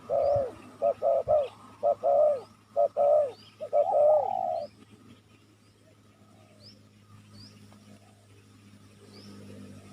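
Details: Lure call of a spotted dove, played to attract wild doves. A quick run of mellow, throaty coo notes lasts about four seconds, then stops. Occasional high thin chirps and a steady low hum continue afterward.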